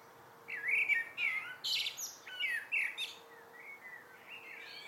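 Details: Evening blackbird song with repeated mellow whistled phrases and high, thin chirping flourishes between them, fading into soft distant notes.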